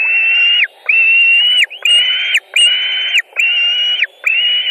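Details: White-tailed eagles feeding on a fish at their nest in Latvia, 26 June 2019; six strong, level piping notes, each sharply rising at the start and held, repeated steadily with brief pauses and light ticks.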